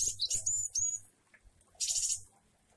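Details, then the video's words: Java sparrow song in a varied style with rain: a quick cluster of high whistled chirps and a drawn-out note, a pause with faint background noise, then a dense burst of high twittering. "Glatik wingko jueh variasi dan air hujan"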